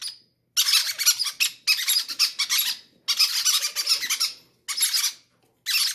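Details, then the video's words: Baby parrots in an aviary, hungry and each wanting to be fed first, give harsh, raspy begging squeals in dense bursts of about a second, separated by short silences, with nothing else heard. "greedy baby parrots say i want to be the first to eat"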